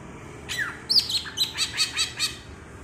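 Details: Green leafbird of Alas Purwo, Banyuwangi, in bebeci song: a low downslurred note, then a loud high whistle followed by a rapid series of about six sharp, evenly spaced chirps, against a quiet background.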